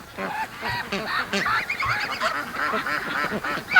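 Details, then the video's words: Flock of free-range domestic ducks during the morning rush, many birds calling at once: nasal, rapid quacking in overlapping runs, the chorus swelling and ending in a sharp loud note. "Ducks' Morning Rush Is Getting Faster & Faster"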